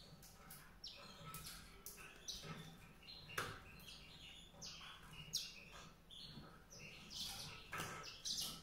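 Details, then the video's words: White-rumped seedeater singing a lively, continuous run of short high chirps, trills and sharp whistled notes, jumping rapidly between pitches with brief louder bursts, over a faint low background hum. "song canário-de-sobrebranco, Weißbürzelgirlitz, Edelzanger, kanárik sivý, zvonohlík šedý, greysinger"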